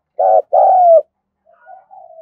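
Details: Spotted dove giving a vigorous 'thúc gù' calling coo, meant to get newly caught birds cooing quickly: a short burry coo, then a longer coo sliding slightly downward, followed by soft faint coos.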